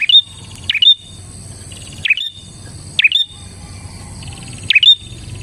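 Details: Prinia singing energetically as a lure to draw in other prinias: loud chipping notes that dip and flick upward, in single and double bursts about a second apart.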